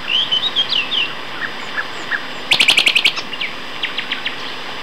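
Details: One of two male common nightingales singing in a duet at Castor Hanglands near Peterborough, England, in May 2012: varied sweet, high phrases, then a loud burst of about eight rapid, emphatic repeated notes, trailing into softer chirps.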